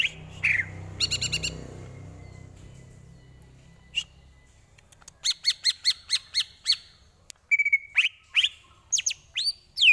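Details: Greater green leafbird song used as a tutor recording for training other birds: a buzzy trill early, a slurred whistle near four seconds, then a fast run of sharp clipped notes and rising whistles toward the end.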